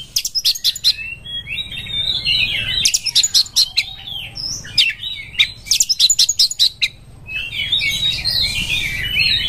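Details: Oriental magpie-robin singing a long song while seeking a rival to fight: bursts of sharp clicking chatter alternate with whistled, warbling phrases, with a steady low background hum throughout.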